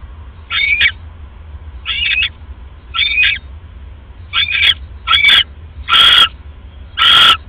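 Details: Female owl on a live camera, 1:30 AM, 31 December 2014, snacking on a rat just after casting a pellet: a run of seven rasping screechy bursts, the last two louder and noisier, with low background hum.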